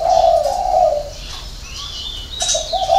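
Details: Spotted dove in the six-note hậu 3 cooing style: one long, hollow, wavering coo opens the clip, and short coos return at the end. Faint high whistles and chirps from other birds are heard between.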